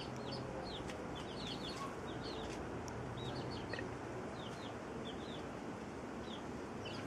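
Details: Domestic chickens, a hen caring for her chicks as they feed together; many high, thin peeps slide downward, scattered through the clip over a steady background hiss.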